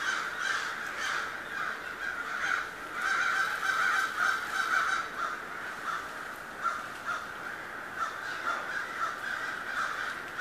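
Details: Crows in a huge autumn flock over Schenley Farms, Oakland, Pittsburgh, 25 October 2013, their calls drowning out city noise; rough caws pile up in waves, with louder surges and brief lulls throughout.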